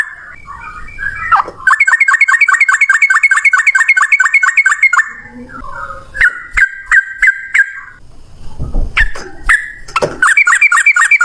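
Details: Yellow-vented bulbul giving loud ropel song, one long breath of rapid notes. A fast, continuous run of bubbly chirps lasts over three seconds, then pauses, and scattered notes and knocks follow before another burst starts.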